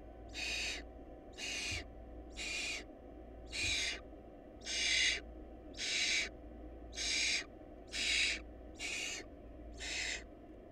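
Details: In a nest lacking food, barn owl chicks give a steady run of ten rasping hiss-screeches roughly a second apart, fairly regular, over a quiet constant hum.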